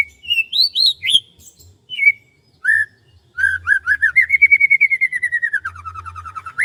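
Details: Rice fields in the morning: a bird opens with several rising and falling chirps, then delivers a long rapid trill that rises slightly and then sinks, over a faint low hum.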